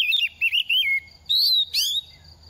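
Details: Moulting oriental magpie-robin in its second year sings quick, varied whistled phrases: wavering, falling notes, then rising slurred whistles with a sharp upward flourish, separated by short pauses.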